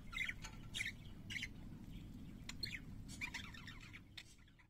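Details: Several pet parakeets singing: short harsh squawks and scratchy chirps come in quick bursts about every half second, some rising and buzzy, fading near the end, over a steady low hum.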